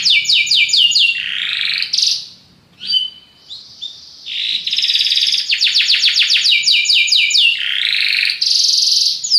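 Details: Belgian canary singing a powerful song: fast repeated trills of descending notes, long rolling buzzy tours, and bright sustained high whistles.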